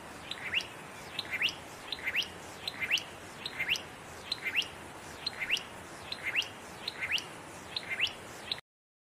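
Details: A satin flycatcher sings in fire-damaged trees in Namadgi National Park, south of Canberra, giving a steady series of short, sharply rising whistled notes, one or two every second, over faint background hiss.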